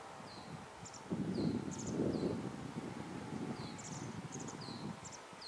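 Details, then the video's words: Masked wagtail fledglings, already out of the nest but unable to feed themselves, sit and shrill for food while their mother feeds them insects. Thin high squeaky chirps come in short bursts over loud low wind rumble and rustling. "Трясогузка кормит птенцов"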